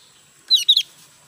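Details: Newly acquired caged Javan white-eye, not yet in full song, utters a brief high twittering pair of chirps, sharp and slightly slurred, in a quiet setting.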